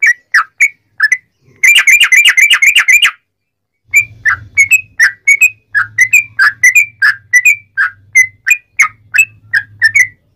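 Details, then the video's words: Long rapid-fire song of a sooty-headed bulbul, aimed at making other bulbuls sing back: a few chirps, a fast rattling burst of many notes, a pause, then steady twisting chirps over a low hum. "trucukan gacor ROPEL PANJANG buat pancingan trucukan agar bunyi"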